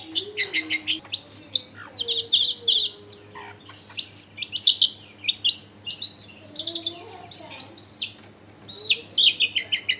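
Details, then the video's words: Long-tailed shrike singing hard in a lure recording meant to make other shrikes respond, taken at home in a crowded neighbourhood: dense, chattering phrases of scratchy chips and thin whistles, with soft background hum. "SUARA CENDET GACOR PIKAT AMPUH BIKIN BURUNG CENDET LAIN LANGSUNG ON DENGAN MUDAH NYAUT GACOR DOR"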